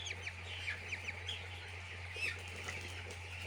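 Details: Chicks at a poultry farm with clear, rapidly repeated downslurred peeps early on amid a thick peeping chorus, a brief fluttery rustle, and a steady low hum throughout.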